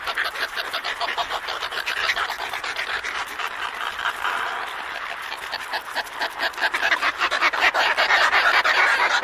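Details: Close-up of an Antarctic petrel pair calling in a colony at Scullin Monolith, Antarctica: long bouts of fast, grating, staccato cackles, about three per second, growing louder and harsher toward the end.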